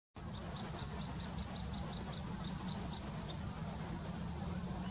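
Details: Little grebe call at Plaiaundi, Txingudi (Irun, Gipuzkoa), September 2019: a thin, high trill of quick repeated notes lasting about three seconds over a steady low rumble of wind or distant traffic.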